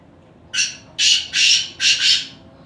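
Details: Black francolin calling from Khushab: four harsh, grating, broadband bursts in under two seconds, the last two run together, set against a quiet background.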